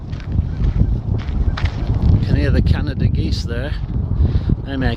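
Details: Canada geese milling around a golf tee beside the Nicomekl River wetlands on the Elgin Trail give several nasal, rising honks in quick succession over steady low rumbling background noise, with a person speaking at times.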